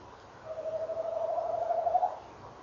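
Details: Male tawny owl rolling at 06:45 on 18 November 2013 while a female answers: one long wavering trill, about 1.7 seconds, held on a steady mid pitch and rising slightly and growing louder toward its end, over soft background hiss.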